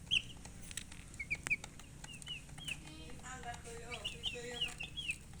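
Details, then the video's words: Chicken peeps come in scattered, high, downward-slurred chirps, with a brief harmonic voice-like sound in the middle and a soft low hum. "silly chicken chirping sounds"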